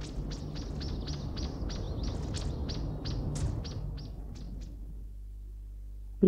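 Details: Song thrush alarm signal warning of danger, a call said to be understood by surrounding animals: a fast run of sharp, dry ticking notes, several per second, over a low hum, ending with a brief tone.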